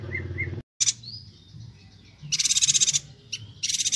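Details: Bornean yuhina singing vigorously, for training songbirds, Kalimantan: soft paired whistles, then high rattling pulsed chatters, one long burst of rapid notes and a shorter one, separated by thin rising whistles.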